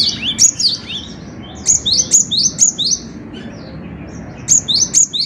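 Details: Gelatik batu, or cinereous tit, in prolific tutor song: bright, high, clipped two-note phrases repeated about twice a second in bursts, with quiet gaps between runs.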